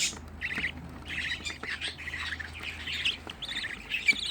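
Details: Sixteen young budgerigar chicks kept together indoors by a home hobby breeder, giving a busy mix of squawky, scratchy chirps that overlap continuously, with a low steady hum underneath.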